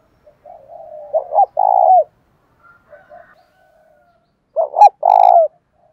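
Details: Decoy spotted dove calling to lure wild doves: soft low cooing leading into two loud phrases, each of two quick hoots and a longer coo, with a faint sharp click before the second.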